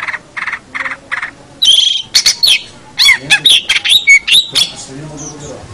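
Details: Long-tailed shrike singing for a bird-training recording: three raspy repeated notes open the phrase, followed by a tangle of sharp squeaky whistles, twangy slurs and harsh chips, ending in a faint low chatter.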